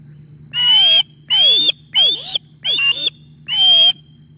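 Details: Osprey at the nest during a fish delivery at 11:37 am on 9 August 2021, as a young bird attacks its father: five loud, whistled, squealing notes about half a second each, roughly one every three quarters of a second, over a steady low hum.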